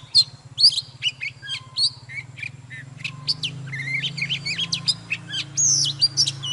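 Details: Mature wild-caught Oriental magpie-robin singing fired-up morning song: loud whistled notes and sharp chips, becoming denser and more varied, with a constant low mechanical hum behind.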